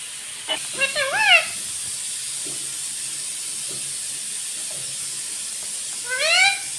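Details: Talking pet rose-ringed parakeet gives a short wavering, nasal phrase of rising and dipping syllables early on, then after a long hissy pause one more sliding, upward-bending call near the end.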